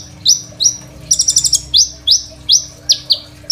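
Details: Crimson sunbird singing actively, a varied song intended for tutoring young sunbirds, captured on a phone: sharp ascending high notes in a steady run, broken by a quick burst of six tinkling very high ticks, faint background hum.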